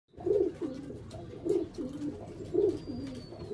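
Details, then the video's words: Pet Barbary dove (puter) of the pelung type, kept by a hobbyist: soft, low, rounded coos in pairs repeating about every second, over faint room hum. "Puter Pelung"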